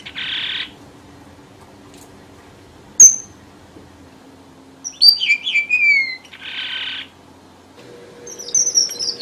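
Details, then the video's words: Lure song of a red avadavat for trapping. Short buzzy bursts bracket a single high chip and a cluster of thin descending whistles, with a faint hum in the background. "TIẾNG CHIM HOA MAI ĐỎ MỒI CHUẨN"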